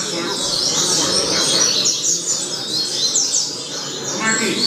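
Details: Double-collared seedeater tutor song meant for young birds: bright, sharp whistled chirps and quick downslurred notes come in bursts over a constant background hiss.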